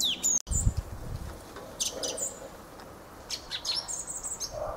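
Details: Fieldfare song: short phrases of harsh, scratchy chatter mixed with high squeaky whistles, opening with a loud low thump, then quieter gaps between bursts.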